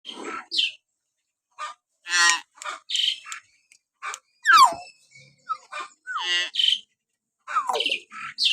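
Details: Common hill myna, natural whistling used as training audio to provoke pet mynas to sing: harsh rasping bursts mixed with sharp falling whistles and short chirps, in irregular bouts separated by silent gaps.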